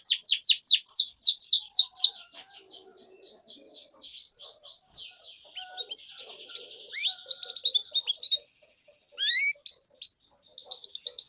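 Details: Canary singing long and vigorously, a lure song for tutoring young canaries learning to sing: a fast series of bright downslurred notes, then softer buzzy trills, a brief pause, and renewed sharp chirps and rolls.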